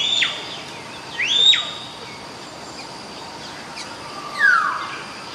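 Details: Common hill myna giving loud whistled calls: two sharp rising-then-falling whistles in quick succession, then a lower descending slurred whistle after a pause, over steady background hiss.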